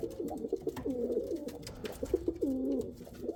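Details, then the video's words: Kal cheeni and Rampuri pigeons giving a short run of deep, warbling coos that dip and rise, the last coo long and drawn out, with light tapping noises behind. "Pigeon sound | kal cheeni kabutar sound | Rampuri kabutar sound"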